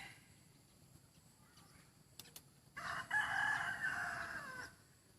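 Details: After a quiet start with a couple of sharp knocks, a decoy rooster launches into a loud, raspy crow held for about two seconds, wavering slightly before ending abruptly.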